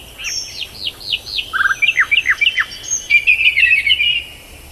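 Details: Tailorbird giving quick, clipped downslurred notes in a rapid series, followed by a short buzzy trill and a jumbled chattering phrase, with some high thin notes behind.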